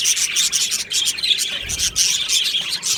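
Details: Aviary budgerigars, 22 June 2025, warble and chirp together in a bright, scratchy stream of quick high notes. Some clear whistled tones stand out above the chatter.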